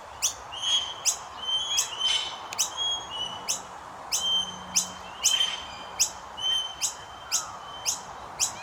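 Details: Fed by adults, common myna chicks beg with insistent high chirps, some drawn into brief whistled notes, repeated about twice a second, with a low hum briefly in the background.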